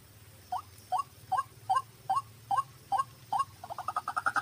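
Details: White-breasted waterhen: eight hooked, upward-bending croaking notes repeated about every 0.4 seconds, then breaking into a quicker run of rising chattering notes, with a low steady hum underneath.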